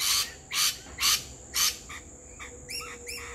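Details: Two lorikeets, a pair, visiting a backyard during a barbecue lunch, singing together: four harsh, broad screeches about half a second apart, then shorter squeaky chirps with rising ringing tones, over a steady high-pitched insect drone.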